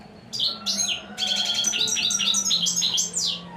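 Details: A royal goldfinch's continuous, bubbling song of fast, high twittering and buzzy trills running for about three seconds, with a faint hum underneath.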